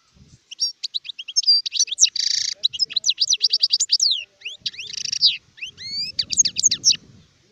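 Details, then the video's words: Mature European goldfinch singing, recorded 2019: clear twittering phrases with rising and falling whistles, two rasping buzzy notes and repeated chip sequences, nearly free of background noise. "تغريد حسون كهل (شارف)"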